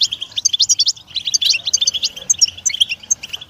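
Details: Fast tinkling goldfinch song, European goldfinch delivering bright chattering notes and short buzzes in an unbroken run, a quieter patch of sparse high pips toward the end.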